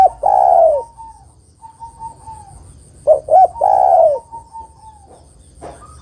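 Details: Female spotted dove calling a male, recorded for bird luring. A long, low, descending coo opens, followed by softer fragments. Then comes a phrase of two short notes and a drawn-out falling coo, with a brief soft note at the end.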